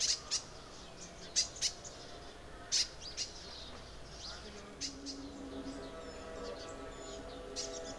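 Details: Crimson sunbird in Arunachal Pradesh, India: sharp, very high chipping notes come singly or in quick pairs at irregular intervals. A faint low hum and soft background twittering sit beneath them.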